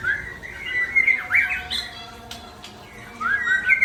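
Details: Loud whistled phrases from a white-rumped shama (Murai Aceh), with swooping slurs and a steep drop, a brief quieter gap, then rising whistles returning at the end.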